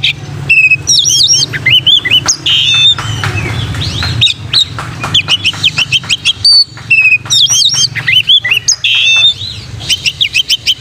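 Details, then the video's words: Song of an oriental magpie-robin used as training material for other magpie-robins: fast, energetic phrases of rising and falling whistles mixed with chattering clicks and scratchy notes, continuous hum below. "KACER MANAPUN IKUT GACOR PLONK COCOK BUAT KACER BAHAN MELATIH MENTAL KACER"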